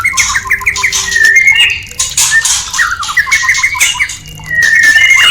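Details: Caged murai batu (white-rumped shama) breeding-lure song, played to raise mating readiness: a quick series of short whistled notes and slurred phrases, broken by brief quieter gaps and then a renewed rush of song.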